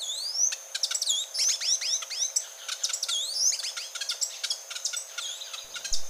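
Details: Grey-and-gold tanager singing: a dense run of sharp, very high chips and thin descending slurred notes, tumbling quickly one after another with many overlapping calls and no pause.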